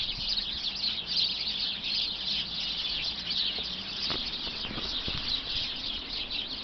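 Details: Roughly twenty sparrows hidden within a bush produce a constant bright chatter of high chirps and tweets, joined by a faint low hum and a few short clicks midway.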